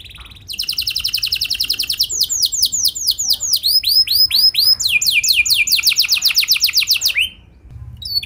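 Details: Canary song played as a lure for other canaries: a dense rapid trill, a run of arched whistled notes, then fast downward-slurred trills, ending in a brief pause.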